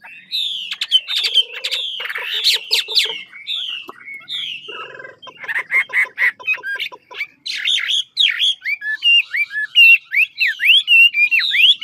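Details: Chinese hwamei from Lạng Sơn, a big caged bird of old-forest stock, in a rich competitive song: dense varied whistles, harsh buzzy rattles and chattering bursts, then rapid repeated sweeping notes, several each second, loud and continuous.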